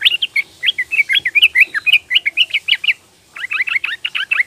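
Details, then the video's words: A young female Yellow-vented Bulbul calling to males, used as a lure: a quick run of bright, bubbling chattering notes, about four or five a second, breaks briefly, then resumes. "TRUCUKAN BETINA MUDA memanggil jantan"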